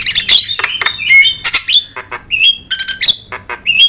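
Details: Jalak starling trigger and tutoring song: dense chattering squawks interleaved with short whistled notes, lively and irregular, the phrases tumbling one after another.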